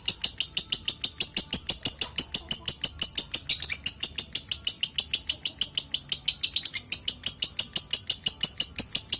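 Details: Lovebird calling: a rapid, even series of sharp high chirps, roughly three each second, continuing throughout with slight shifts in pitch, in a small indoor space.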